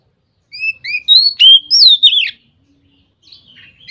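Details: White-rumped shama in ngeplong song style, said to prompt other shamas to sing: clear whistled notes sliding up, then rich warbled phrases with sharp rising and falling slurs, one burst over about two seconds, then soft twittering.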